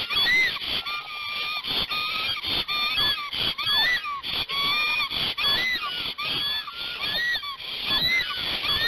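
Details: Pair of Black storks singing a long song at their Hungarian nest in Gemenc while changing over parental duties, 21 May 2019, mid-morning: repeated upslurred squeaky whistles with rich harmonics, over a wheezy hiss, about once per second.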